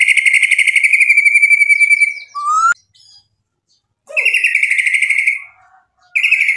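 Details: White-rumped shama delivering long fast buzzy trills lasting about two seconds each, separated by a sharp whistle and a pause, repeated three times.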